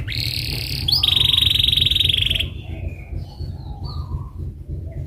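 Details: Canary singing as a lure to make other canaries answer: a loud buzzy sustained roll for over two seconds, then soft scattered chirps over a low background rumble.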